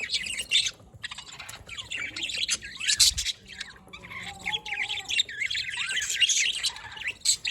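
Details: Budgies recorded 27 October 2023 keep up a busy chatter of rapid, twittering chirps and short squawky notes, with brief pauses between the bursts.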